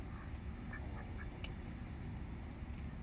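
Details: Little ducks being fed give a few short nasal quacks, brief and spaced apart, over steady low rumbling background noise.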